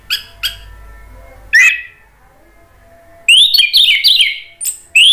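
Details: Singing Orange-headed thrush, its song meant to goad other thrushes into responding: two soft chips, a buzzy slurred phrase, silence, then a rapid, loud jumble of rising, twittering notes ending in a sharp upslur.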